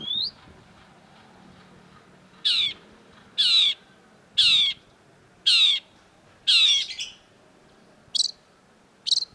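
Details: Long-tailed shrike, recorded as a training track for songbirds: a short rising whistle, then loud harsh rasping notes each sliding downward, repeated about once a second against a quiet background.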